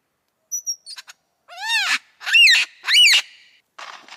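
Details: Lyrebird song with high thin whistles, then loud sweeping ringing notes that arch up and down, three powerful swooping phrases in quick succession, ending in soft scratchy chatter.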